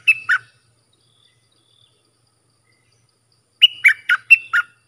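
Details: Bulbul (dok taeng) song for tutoring fledglings: a two-note phrase, a long silence, then a crisp four-note phrase of clear, chirpy notes.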